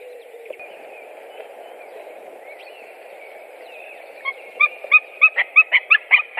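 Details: White-tailed eagles, three present, 7 April 2017: a steady background hum at first, then a quickening series of sharp yelping notes rising in loudness near the end.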